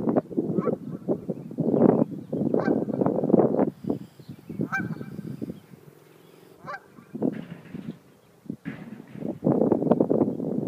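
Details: Territorial geese confront a dog with loud, rasping honks fired in quick, irregular volleys. The calling fades to a quieter stretch in the middle, then the harsh chorus builds again strongly toward the close.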